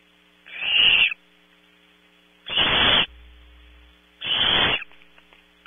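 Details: Competing for a 3 am prey delivery, Barn owl chicks in a California nest cavity give three loud, coarse hissing screeches, roughly two seconds apart, with a faint low rumble and hum between them.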